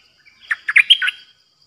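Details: Caged Streak-eared bulbul used as a new decoy, recorded 6 May 2022, giving a pure 'open flower' song: five quick bubbly, slightly buzzy notes that rise and fall within about a second.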